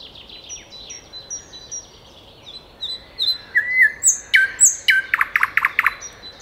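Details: Common nightingale (Luscinia megarhynchos) song: a run of quiet, high repeated notes, then louder whistles and a burst of rapid, hard notes near the end.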